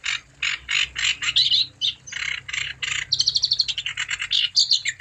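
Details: Energetic wambi song played to encourage other wambi to sing: broad, raspy chirps spaced about a quarter second apart, shifting to faster, thinner whistled trills and piping notes in the second half.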